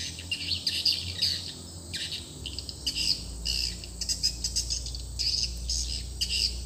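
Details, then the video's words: Swiftlet lure call played at a swiftlet house after a new call sound was installed: bursts of high chirping, twittering notes in repeated clusters, with a low steady hum beneath. "suara panggila baru rumah burung walet"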